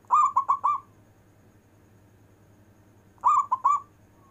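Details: Local zebra dove singing in the long-breath manggung style, used to call lazy zebra doves: two cooing phrases about three seconds apart, each a long note then two short notes, over a faint low hum.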